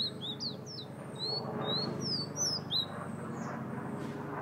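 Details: Fire-red bird of Guyana pouring out rapid, high whistled notes that swoop up and down, about three per second, against a low background murmur.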